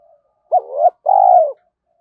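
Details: Spotted dove lure call used to coach young captive doves into cooing. A crisp hoot bending upward, a brief break, then one long, smooth, gently falling coo, all against silence.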